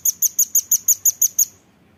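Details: Velvet-fronted nuthatch used as a tutor recording for songbirds: nine loud, crisp, very high chit notes delivered in quick even rhythm over about one and a half seconds, then silence.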